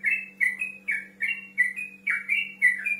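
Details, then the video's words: A yellow-vented bulbul in full, lively song calls out to a rival, used as a lure for young birds to answer. It gives rapid, bubbly, slurred notes, about two phrases a second, over a low steady electrical hum. "TRUCUK GACOR NGEROL MEMANGGIL LAWAN"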